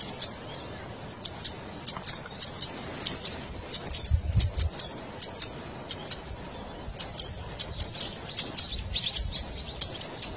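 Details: Chatty cici padi masteran call, used to lure wild Zitting cisticolas or stir quiet caged ones: steady streams of sharp high clicks, roughly three a second, with a brief low rumble midway and a short pause.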